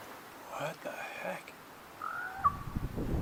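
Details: A crow, possibly a raven per an app, in Ontario's far north lakes and wetlands gives an odd, nasal, harmonic croak of about a second, then a short flat whistled note; low rumbling noise and a voice follow.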